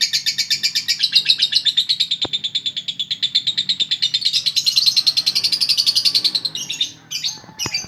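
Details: Konslet chattering from a female lovebird: a dense, high-pitched stream of rapid buzzy chirps that runs without a break, swells slightly in the middle, then ends in a few scattered sharp notes.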